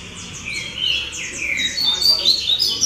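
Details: Rusty-collared seedeater kept as a caged songbird, singing on a training circuit: varied high whistles, slurred downward sweeps and quick chirps strung together, growing louder toward the end, with soft music behind.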